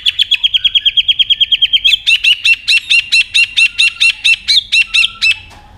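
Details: White-rumped shama in competitive, many-voiced singing with tail flicking: a fast series of short high notes about two per second, then sharper, ringing two-part notes repeated evenly until the end.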